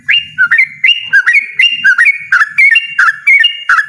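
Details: A yellow-vented bulbul sings in a loud, persistent ropel style, a fast tumbling series of gurgling whistled notes that repeat in close succession, with a faint low rumble beneath.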